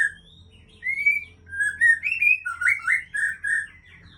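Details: White-rumped shama of the Aceh type, a breeding bird, singing: a sequence of rich slurred whistles rising and falling, quickening into a run of rolling notes.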